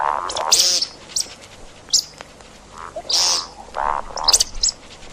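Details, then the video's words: Calls of the see-see partridge, sound used for hunting: short mellow hooting notes mixed with harsh, buzzy bursts and brief high ticks, repeated irregularly. "صوت طائر الشكب (دجاج الارض) للصيد"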